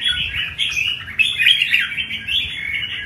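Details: Red-whiskered bulbul as an ornamental cage bird, pouring out a continuous, dense, warbling song of fast slurred notes in a performance style, with a quiet background.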